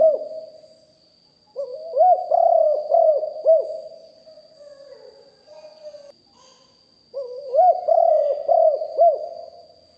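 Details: Spotted dove recorded live, a deep-voiced bird cooing in the lio hoi and kuk hoi styles: two phrases of soft, rounded hoots, each a rapid string of five or so notes, separated by a quieter low murmuring coo.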